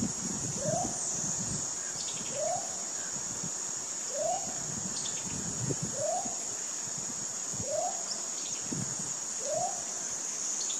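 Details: A Baudo Guan, endemic to Colombia, gives six short, arched, mid-pitched notes about every two seconds over a steady high insect hiss.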